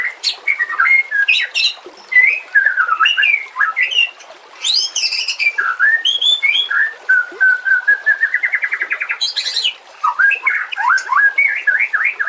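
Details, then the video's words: White-rumped shama song meant to train other birds, with nature and water sounds: looping whistled phrases, high rising sweeps and long runs of rapid repeated chattering notes. "Masteran murai TERAMPUH yang di pakai semua burung juara"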